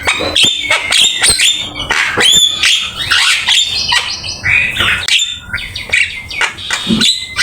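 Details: Black-winged myna singing a varied training song: rasping squawks, rising whistles and clicking notes in a dense, continuous flow, with a noisy background.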